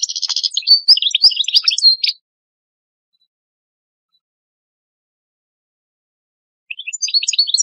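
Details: European goldfinch master singer for young goldfinches: about two seconds of twittering chirps and a buzzy trill, a long silence, then a short renewed twitter.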